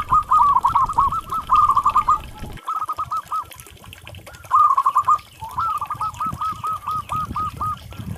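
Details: Local zebra dove song in several bursts of rolling, trilled cooing phrases on one level pitch, broken by short pauses, with a low rumbling background noise between phrases.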